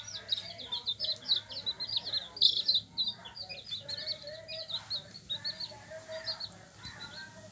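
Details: Yellow hen chicks chirping in a flurry of quick, piercing peeps, several at once and over three a second, loudest at the start and thinning out later.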